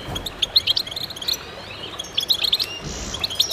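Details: Goldfinches sing together in short, bright bursts of high chirps and twittering trills separated by brief quieter gaps, with faint soft rustling underneath.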